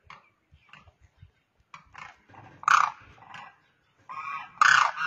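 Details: A single demoiselle crane (koonj, karkara) on the ground calls to birds flying overhead; soft scattered clicks and short notes, then two loud raspy trumpeting calls.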